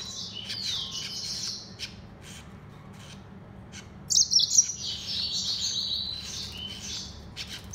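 A Mozambique serin and canary hybrid sings high, bright twittering phrases with quick trills and chirps, pausing briefly before a louder burst.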